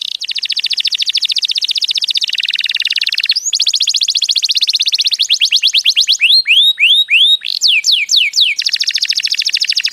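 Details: Canary singing, played to teach young canaries and stimulate them to sing: a steady rolling trill of very fast repeated notes, a brief shift in pitch, then slower looping downslurred whistles before the rapid trill resumes.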